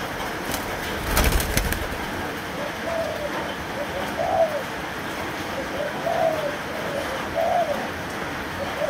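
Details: A three-month-old Malaysian spotted dove gives soft, low cooing phrases about every one and a half seconds. A steady background hiss runs throughout, and a sharp clatter sounds early on.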